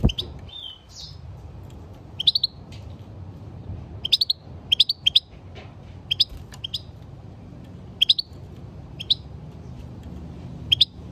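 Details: A European goldfinch gives repeated clusters of sharp, high chirps roughly every one to two seconds, with a short buzzy twitter near the start and a quiet low hum throughout.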